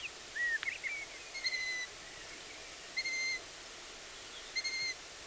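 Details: Squeaky-gate begging notes from wild long-eared owl chicks, at least two present, heard on a BirdWatch Ireland outing: three level, high squeals spaced about one and a half seconds apart, after a brief wavering squeak and a click.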